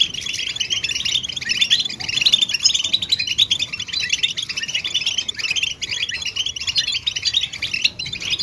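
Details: European goldfinch song and readiness calls meant to stimulate silent males to sing; continuous bright twittering with tinkling, liquid notes and rapid chirps, steady and dense throughout.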